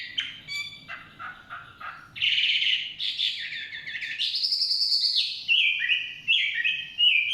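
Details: A wild Chinese hwamei sings in forest: short scratchy notes at first, then loud sustained whistled phrases and high ringing notes, changing pitch in steps, with faint low background noise.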